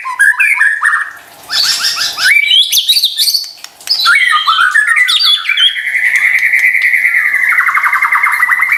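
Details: White-rumped shama singing as a lure for sluggish birds: harsh, buzzy rattling phrases and scratchy trills, then a long, loud, sustained whistle holding steady for several seconds.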